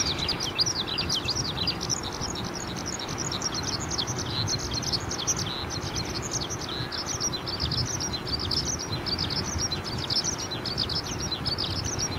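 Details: Eurasian skylark singing a long unbroken outpouring of quick, high, twittering notes, heard against constant loud background noise.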